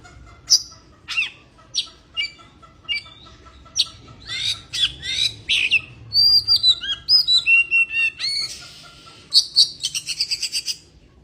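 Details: Lively song of an Oriental magpie-robin in breeding condition: scattered chirps build into dense buzzy phrases, a string of rapid whistled notes, and a closing rattle.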